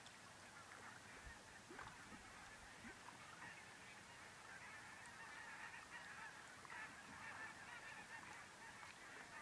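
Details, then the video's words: Thousands of barnacle geese from the Arctic, stopped on migration in central Finland, keep up a dense, continuous chorus of short, yapping, dog-like calls, overlapping so thickly that single voices blur together. "Thousands of Migrating Arctic Barnacle Geese - Milliers de Bernaches nonnettes arctiques migrantes"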